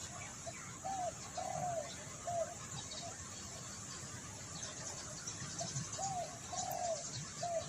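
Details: Spotted dove calling, used to lure birds: faint, distant repeated cooing phrases of short mid-pitched rounded notes, with a steady background hiss throughout.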